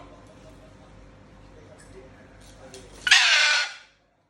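A Moluccan cockatoo gives one loud, harsh, broad screech lasting under a second, after three seconds of quiet room murmur.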